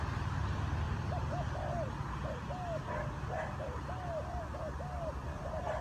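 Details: Spotted dove giving a run of soft, hollow coos, each rising and falling, several per second, over a steady low background rumble.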